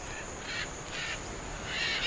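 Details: Blue-and-yellow and scarlet macaws gathering on an Amazon riverbank to eat clay give harsh, raucous squawks in three rough bursts over two seconds, over a steady high insect hum.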